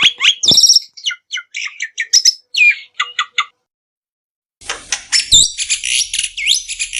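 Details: Black-winged myna singing, recorded to coax other birds into song: rapid varied chirps and short whistles, a brief pause, then a dense burst of high squeaky, rasping notes.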